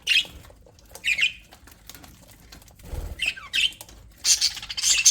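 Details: Happy budgerigars in an aviary giving spaced whistled chirps and short squeaky phrases, ending in a louder flurry of high chatter, with one soft low thump midway.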